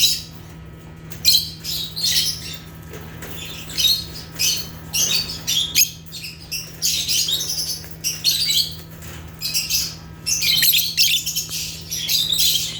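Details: Lively natural chirping of African lovebirds (Agapornis): repeated clusters of sharp, high, raspy chirps and squeaks with short gaps, continuing throughout, accompanied by a steady low mains hum.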